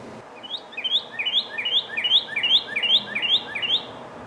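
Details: A Northern Cardinal, recorded in Ontario, Canada, sings its breeding-season song: a fast series of about nine clear, slurred whistles, each sliding downward, repeated evenly over a few seconds with no other sounds.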